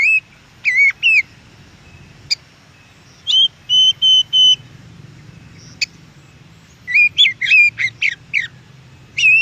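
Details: Wild Oriental magpie-robin song: varied whistled notes and sharp clicks in irregular bursts, a run of steady repeated whistles, then a rapid series of slurred notes near the end, over a low hum.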